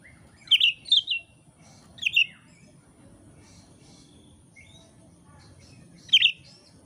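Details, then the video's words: Oriental magpie-robin in full song gives bright, clear whistled notes in short bursts, three close together, then a lone phrase after a long pause, over a faint low hum. "kacer gacor materi komplit kicau mania"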